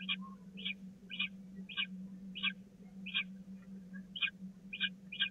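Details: Short rasping chirps repeated at a steady pace of about two per second from peregrine falcon chicks at feeding time on the Catharinakerk, spring 2019, a persistent low hum in the background.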